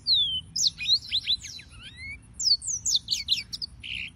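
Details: Serinus mozambicus, the yellow-fronted canary, singing: it opens on a long descending whistle, then gives a jumble of quick chirps and slurs and ends on a brief buzzy note.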